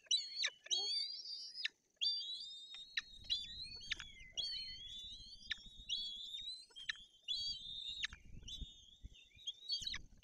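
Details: Young white-tailed eagles in a nest in Bory Tucholskie, Poland, 8 June 2022, beg for food with thin, high, whistled chips and wavering squeals in quick bursts, over wind; the female has brought a fish and later feeds them pike.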